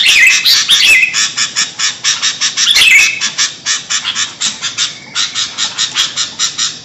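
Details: Sooty-headed bulbul giving a noisy, agitated call used to lure birds: rapid bursts of harsh, rasping chatter with brief whistled notes mixed in, pulsing several times a second and fading toward the end.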